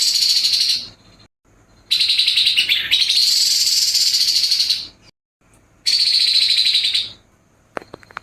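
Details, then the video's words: Harsh nembak kasar song of a grey-headed babbler: a series of dense, buzzy, high-pitched rattles, one stretching over three seconds, with brief silences between bursts and faint ticking at the end. "TEPUS KEPALA ABU ABU NEMBAK KASAR"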